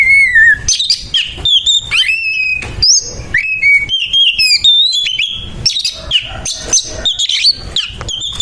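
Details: Fighting Oriental magpie-robin sings roughly, opening with a clear falling whistle, then a fast sequence of sweet whistles, upslurs and crisp chips repeated with only tiny gaps.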